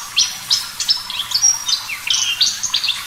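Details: Javan bush lark singing clearly and energetically, a master song for training caged birds: quick high chirps, thin whistles and sweeping slurs delivered in tight bursts about every half second.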